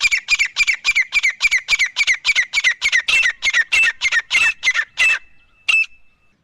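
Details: Grey francolins, male and female, deliver a rapid, rhythmic chain of about twenty loud, rasping squawks that fades out, followed by one last short note with a ringing tail.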